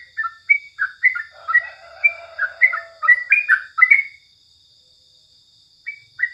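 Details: Sooty-headed bulbul in morning song, delivering a lively run of clear, slurred whistles and chirps for about four seconds. A lower, softer note overlaps early on, then a pause and two final notes.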